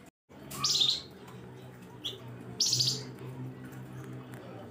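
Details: Flamboyan bird in sharp 'nembak pedes' chirping meant to lure other birds: two strong, buzzy high chirp bursts nearly two seconds apart, with a short softer note between them and a low hum underneath.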